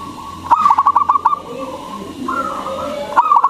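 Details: Zebra dove, a local bird with a big voice, recorded as a lure to get other doves singing; a fast rippling series of short coos, a drawn-out steady tone, then another rolling burst begins.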